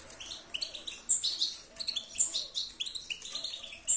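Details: European goldfinch singing, with bright chirps and short twittering notes in quick bursts, some high sharp tinkling notes, no other clear sounds.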